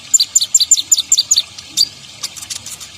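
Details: Ninja sunbird song used for luring birds: a quick run of about nine high, sharp paired chirps, evenly spaced, then a single higher note and a few faint clicks.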